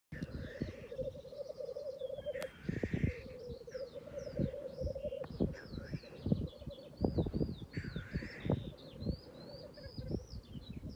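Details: Black grouse calling: a continuous low bubbling coo runs throughout, overlaid with sharp clicks and bursts, while higher thin whistled bird notes sound faintly above.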